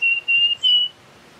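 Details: Russet-crowned warbler giving three clear, level whistled notes in quick succession, the last slightly higher and longer, over a quiet background.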